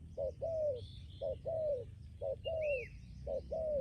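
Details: Spotted dove kept as a decoy bird sings a regular coo sequence: a brief note and a longer downward-sliding coo, four phrases in under four seconds, with faint bird chirps and a high curved whistle.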